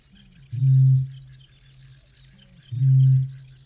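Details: Eurasian bittern booming in a UK field recording: two deep, resonant, hollow booms about two seconds apart, each preceded by a softer low grunt, with faint high birdsong in the background.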